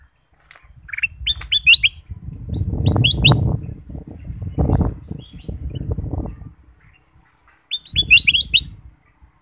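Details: Bulbul (kutilang emas) singing as a lure for other birds: bursts of quick bright whistled notes at the start and again near the end, separated by several seconds of low rustling and handling noise.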